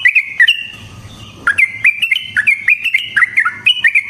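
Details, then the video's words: Yellow-vented bulbul in fighting mood, its song offered as training master: a few opening notes, a brief hush, then a lively run of clear, bouncing warbled notes. "Burung TRUCUKAN GACOR Ropel Panjang Cocok untuk PANCINGAN Trucuk bahan dan MASTERAN Burung Trucukan"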